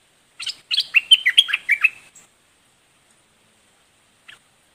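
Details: Red-whiskered bulbul singing a rapid burst of about ten bright, chirpy whistled notes. The notes rise and fall over roughly two seconds. A single short note follows after a pause, against a quiet background.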